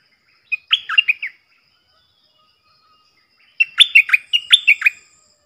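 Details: Stripe-throated bulbul decoy song, loud and clean, meant for training young birds and luring wild bulbuls. A brief gurgling phrase is followed after about two seconds by a longer, fuller run of liquid notes.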